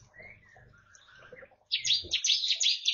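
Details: Bar-winged prinia singing freely in an East Kalimantan aviary shared with white-eyes and finches, in its rapid-fire 'tembakan' style. Soft thin whistles come first, then a loud run of high, buzzy notes fired several per second.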